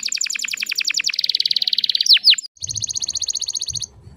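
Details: Female canary, calling so young males begin singing: a quick series of falling notes merges into a steady buzzing roll, two sharp swooping notes, then a flat high trill.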